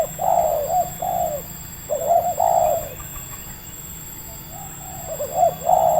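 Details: Local red turtle dove, called tekukur, lured and caught in Indonesia; medium-pitched coos in short phrases of two or three notes, pausing between bursts, with a steady electrical hum behind.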